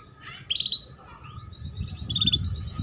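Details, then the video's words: Female canary calls, used to coax young canaries into singing and raise their breeding drive: two short bursts of high, rattling chirps near the start and the end, over a low background rumble. "Pancingan Kenari BETINA Cuit Cuit"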